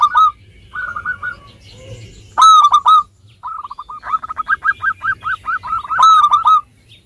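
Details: Local zebra dove singing freely, meant to stimulate reluctant birds: short soft phrases, a loud ringing coo burst, then a long rapid rattle of staccato cooing notes ending in another loud coo.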